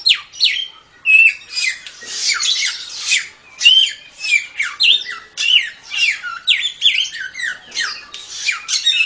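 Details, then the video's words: Samyong song used as a training master for songbirds: a fast, dense chatter of high twittering notes with short whistled slurs and downward sweeps, delivered in bursts about every second, with no other sounds. "Suara Burung Samyong"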